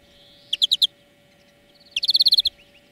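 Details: Song of the European greenfinch, recorded as a lesson to train birds: a short four-note ringing burst, then a longer rapid rolling trill of bright repeated notes.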